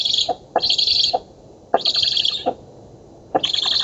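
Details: Black stork nestlings on an oak nest in Poland, feeding time on 11 August 2017, nest camera. Three rough, hissing wheezes with clicky onsets, the last cut off at the end.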